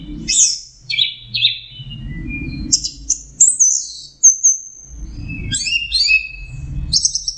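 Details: Melodious song of an orange-headed thrush (Geokichla citrina). It moves through varied phrases: descending slurred notes, a high thin sustained whistle, then chattering clustered notes and a final high buzz. Low-pitched background noise comes and goes.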